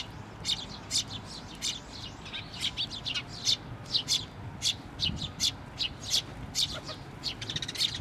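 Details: Chick calling on a post at a shrine, 16 May 2023, as a parent bird comes back; dense run of high, sharp chirps, rapid and uneven, with faint low rumble beneath.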